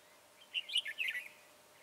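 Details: Trapping on 22 January 2018 of a red-whiskered bulbul with a long slim body, tall crest and dark bib; one brief, rich warbled phrase of several rapid whistled notes.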